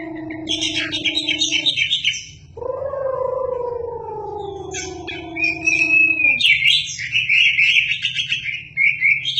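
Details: Chinese hwamei (wambi) singing energetically, its song used to tutor shamas: long, smooth, low whistles that slide slowly downward, then bursts of higher, rich warbled phrases and a steady low hum underneath.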